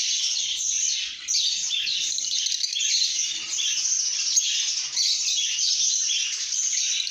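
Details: Cheerful lovebird chatter: an even, shrill stream of overlapping squeaky chirps that swells and fades slightly, with no clear pauses.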